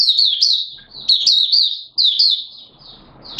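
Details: Malaysian Mata Puteh, the Oriental white-eye, singing in Singapore on a warm, humid day of 29 March 2023: three fast strings of thin, high, slurred chirps running together, a faint rustle beneath.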